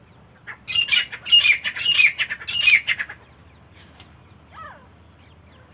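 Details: Female partridge, called teetar, giving loud raspy squawks in a quick run of about five notes over two and a half seconds, then quiet with a faint distant chirp.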